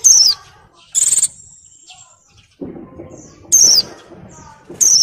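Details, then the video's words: Female Oriental white-eye in breeding condition, moulting, calling to males in the ngalas style: loud, thin, high whistles sliding downward, each about a third of a second, four calls with soft rustling and clicks between. "SUARA PLECI BIRAHI GACOR NGALAS"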